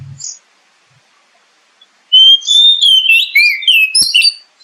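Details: Oriental magpie-robin song used as a lure to make kept birds sing: after quiet, a loud continuous run of varied whistles, sweeping slides and high twittering notes lasting about two seconds.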